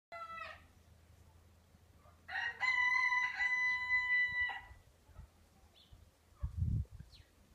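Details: Two frizzled Pekin bantam hens, blue mottled with white, recovering after a long moult and newly laying. A short rising note comes first, then a drawn-out, nasal, harmonic call lasting about two seconds, followed by a low thud.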